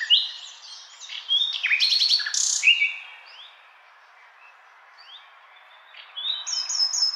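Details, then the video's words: A common nightingale sings rich, varied phrases: quick chirps, a burst of loud buzzy and rattling notes, clear whistles, then a short pause and a rapid high repeated trill. "Nightingale Song"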